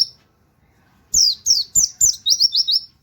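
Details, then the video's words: High-pitched white-eye song in the 'nembak wit wit kenari' style, suited to training other birds: four piercing falling notes followed by four fast upslurred chirps, on a quiet background. "pleci nembak wit wit kenari cocok buat masteran"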